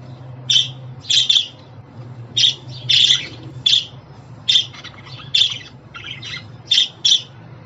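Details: Pet budgie sounds for newly arrived or young budgerigars: scattered bursts of harsh squawky chirps, often paired, with quiet gaps between, and a constant faint low hum.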